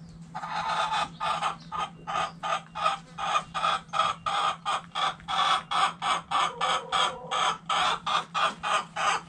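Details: Backyard hens in a chicken coop giving loud, harsh, repeated clucks, about three per second in a steady run for nine seconds, with a low steady hum underneath.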